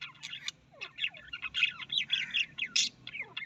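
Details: Australian parrot chattering continuously with rapid harsh squawks, clicks and short downslurred whistles, fairly loud over a low background hum.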